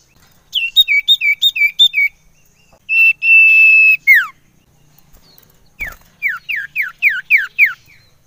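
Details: Common iora lure sound used to stimulate other ioras: a run of looping whistled notes, a long steady whistle, a steeply falling note, then a quick series of downslurred whistles after a click.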